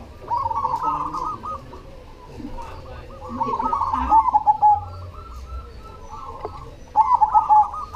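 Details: Perkutut cemani, a zebra dove, singing actively: two bursts of rapid, bubbling coos with a drawn-out final note, set against many other doves cooing continuously nearby.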